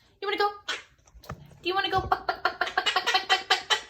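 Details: Pet parrot mimicking human speech, saying "smile and wave": a few voiced, speech-like syllables, then a rapid rhythmic run of repeated short syllables, indoors.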